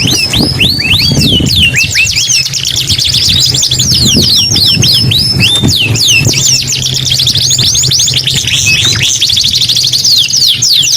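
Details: Canary in full song: dense, rapid trills and cascading downslurred whistles running for several seconds, with a low engine-like hum in the background.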